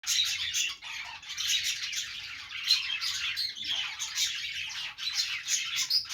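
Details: Pet budgerigars, several birds, during their morning routine, making what is described as a happy sound: a dense, continuous flock chatter of high chirps, warbles and short squawks, rising and falling in bursts throughout.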